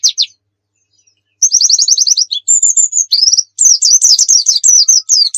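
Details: White-eye of the pleci dakun type from Pacitan singing in the 'nembak full isian' style: after brief chirps, a rapid high trill runs into varied whistled and twittering phrases without break.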